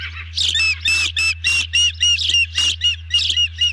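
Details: Nest-cam ospreys calling as a large meal is brought in and eaten; harsh, squawky bursts mixed with thin whistled notes, delivered in quick uneven clusters, several per second.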